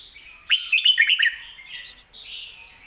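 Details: Red-whiskered bulbul singing a doubled 'kho-ta-ra' style song, recorded for teaching caged bulbuls: a burst of quick, bright warbled notes, then softer sustained whistled phrases trailing off.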